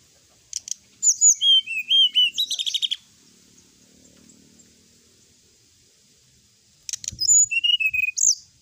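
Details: Sooty-headed bulbul in full, energetic song, presented as a night-time recording: two bursts of bright, rapid chattering with slurred whistled notes, a few seconds apart, over a steady high hiss.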